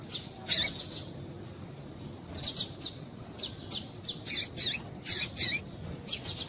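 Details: A female Double-collared Seedeater (coleiro) gives thin, high chipping calls in short bursts, some doubled, a few every second, over faint hiss; female calls played to stimulate male coleiros to sing.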